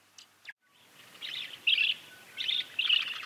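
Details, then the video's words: Swallow-tailed Hummingbird (Eupetomena macroura) giving high, scratchy chips in short bursts, about four clusters in three seconds, over a faint background hiss. "Swallow Tailed Hummingbird (Eupetomena Macroura)"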